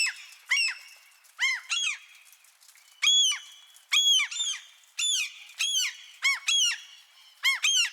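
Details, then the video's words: Gulls calling in light rain: loud, harsh, down-curving squawks, some single and some in quick doubled or tripled bursts. Fainter gull cries and a steady soft hiss fill the pauses. "Seagulls Squawking in Light Rain"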